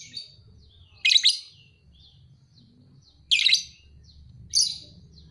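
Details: Young lovebird, paud type, two and a half months old, fighter bird: three harsh screechy chirps spaced about a second or two apart, with quiet low hum between.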